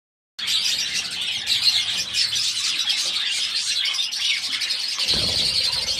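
A flock of budgerigars chatters nonstop in high, scratchy warbles and chirps.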